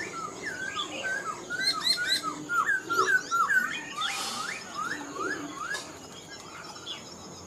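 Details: Mature wild-caught Black-throated laughingthrush, kept caged and singing strongly, pouring out a rhythmic string of looping whistled phrases with higher chipping accents, briefly interrupted by a short burst of noise before the whistles resume and fade.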